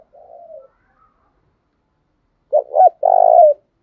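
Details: Decoy spotted dove used for daily voice training. A soft, low coo opens, followed after a pause by a loud phrase of two quick notes and a long, throaty, slightly falling coo.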